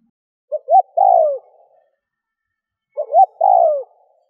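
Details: Decoy spotted dove cooing to lure wild doves. Two separate phrases, each with two quick rising notes and then a drawn-out falling coo, about two and a half seconds apart, in a quiet setting.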